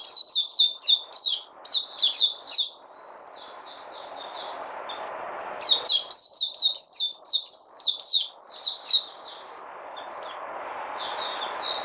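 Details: Bursts of quick, high, falling chirps from a bird, roughly two per second, broken by a long stretch of quieter background hiss before another lively burst and a fainter tail of notes.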